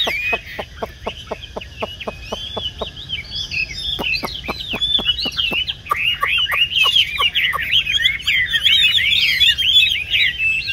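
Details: Tame caged Chinese hwamei of the 'tam hoàng' type, yellow-footed and yellow-billed, kept for café singing. A steady train of crisp clicks, about three a second, runs under an increasingly dense, varied warbling song of looping whistles.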